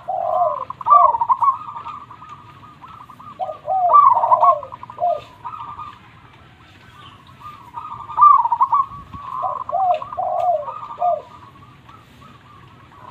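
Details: Zebra dove, a local Indonesian bird, singing loudly and persistently: repeated phrases of short lower cooing notes followed by buzzy trilled rolls, three phrase groups spaced a few seconds apart.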